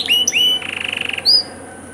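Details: Canary tutor song with luxurious variations: two quick upward-hooked whistles, a lower pulsed trill of about a dozen beats, then a single clear rising whistle.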